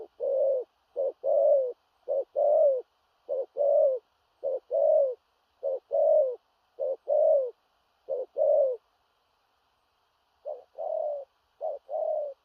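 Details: Large spotted dove calling in the booming, far-carrying 'thổ rặc' style with stuttered coos: a long run of short-note-plus-falling-coo pairs about once a second, a brief pause near ten seconds, then the series resumes.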